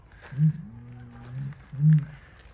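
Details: Captive Southern helmeted curassow at Lotherton Wildlife World, filmed 23 July 2021, giving a strange deep humming noise: a louder short hum, a long steady low drone, then another louder short hum.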